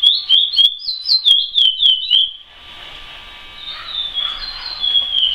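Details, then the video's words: Chestnut-bellied seed finch, known as curió, singing praia style: a lively burst of clear slurred whistles for about two seconds, then softer, more distant-sounding whistled notes over a low hum. "CURIÓ PRAIA CANTADOR"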